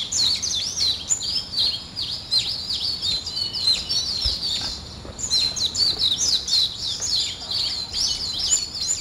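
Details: Early-morning bird chorus with busy high chirping and short trilled phrases, a brief lull in the middle before the twittering picks up again.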